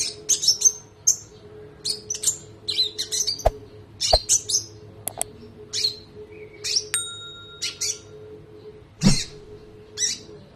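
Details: Olive-backed sunbird, locally konin, on a long-rolling training recording for other songbirds. It gives bursts of shrill high chirps and twitters, broken by sharp clicks or knocks and a brief pure electronic-like tone, over a background hum.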